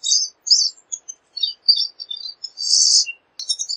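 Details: Rambling high twitters from a pine siskin, broken by short gaps, with one rising buzzy wheeze in the middle before the chattering resumes.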